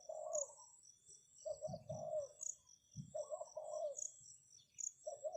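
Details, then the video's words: Spotted dove used as a decoy, calling to lure wild doves: low, mellow cooing phrases of two to three soft notes, given in bursts about every one and a half seconds, over steady high-pitched insect chirping repeated in the background. "Chim cu gáy chiêu kích mồi tập bổi nhanh nổi hiệu quả"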